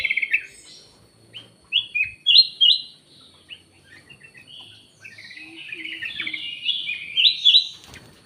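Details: Black-naped oriole gives loud clipped whistles, then a long, quieter, rambling twitter rising in strength toward the end of the lure call.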